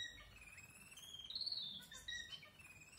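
A Red-whiskered bulbul gives a thin, drawn-out whistle that rises to a high peak and then slides back down, fairly quiet over faint background hiss.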